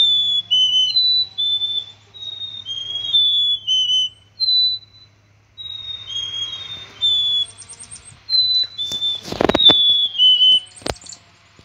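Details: Black-capped chickadee repeating plaintive high-to-low whistled phrases, followed by a few thin buzzy notes and a sharp knock or flutter near the end.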